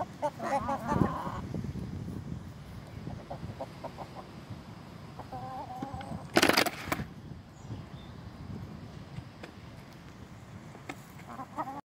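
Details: Pure-bred Leghorn roosters in black, cuckoo, brown, white and pile colours. A short harmonic crow-like call opens, brief nasal calls return mid-way, a sharp flapping-like burst follows, and a steady low rumble runs underneath.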